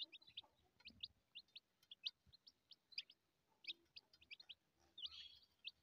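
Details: Newborn chicks eating alongside their mother hen give a rapid stream of short, high, thin peeps, scattered irregularly with several per second, over a quiet background with faint pecking knocks.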